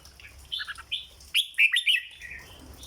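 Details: Caged red-whiskered bulbul delivering the 'dok' song style: a few soft warbled notes, then three or four loud, sharp, piercing whistles in quick succession, fading into a quieter trailing phrase.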